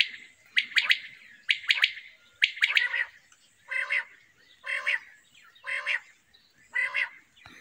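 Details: A common quail singing in a summer meadow gives sharp, clipped notes in quick groups, then harsher squawky single notes, about once a second.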